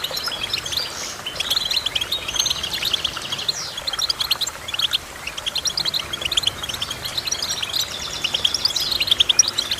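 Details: Goldfinch song, a soft, continuous twittering with occasional buzzy sweeps and thin trills, steady in volume for about ten seconds.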